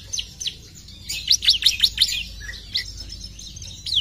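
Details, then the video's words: Bar-winged prinia song: a brief cluster of rapid, high, downslurred notes, followed by a few scattered chips. "PUTAR SBENTAR CIBLEK AUTO NYAUT!!"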